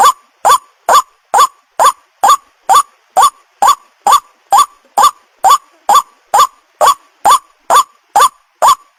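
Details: Repetitive croaking of a white-breasted waterhen, used as a lure to bring other waterhens of either sex: around twenty clipped, nasal notes in a steady beat of slightly more than two per second, the only sound heard.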